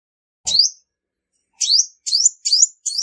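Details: Female olive-backed sunbird (Cinnyris jugularis) from Vietnam giving high, sharp chirps with a quick upward sweep, one note then a run of four after a pause; a faint low knock beneath the first note.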